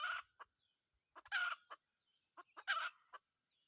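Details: Red junglefowl crows from a decoy-trapping session: three loud, harsh, brief bursts, each preceded by sharp clicks, in otherwise quiet surroundings.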